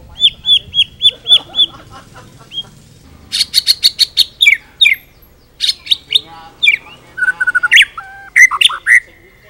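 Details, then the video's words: Song of a white-rumped shama, full repertoire used to tutor other birds: a row of six clear high whistled notes, then dense bursts of chips, rattles and varied whistles, some falling and some rising. "murai full isian cocok buat MASTERAN"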